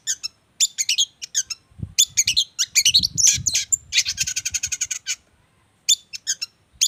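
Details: Songbird described as a regular contest champion, singing a dense, varied chattering song: high sharp chirps and trills, a rapid buzzy rattle run at mid-clip, and scattered notes after a short pause.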